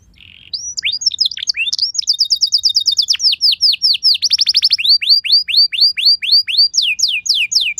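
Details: Canary song meant to trigger other canaries to sing: after a short buzzy note, a dense mix of quick chirps, fast even trills and a rolling rattle, then a long series of clear downward-sliding whistles repeated several times per second.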